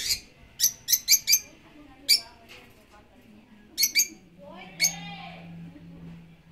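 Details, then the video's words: African lovebirds calling with piercing, clipped chirps in quick clusters of two to four, separated by short silences, with one longer squeaky call near the end and a faint low hum underneath. "African love birds"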